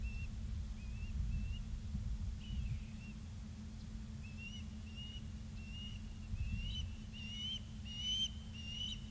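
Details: Osprey on a live camera at Charlo, Montana, 2 September 2023, 16:03: a faint series of short, high whistled chirps, grouped and repeated over about nine seconds above a steady low hum.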